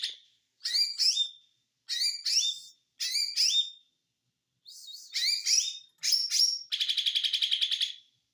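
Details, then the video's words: Konslet-style song of an ijo mini white-eye. Short bright twittering bursts come about once a second, each ending in a slurred whistle, and finish with a rapid rattling buzzy trill. The background is silent. "ijo Mini konslet"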